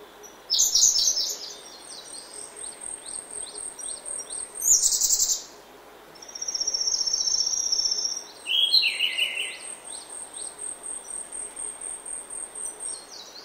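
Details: Grey-backed thrush song at early morning in oak woodland: several loud, varied warbled phrases with pauses between, mixed with rapid high twitters from other birds and a thin continuous high tone.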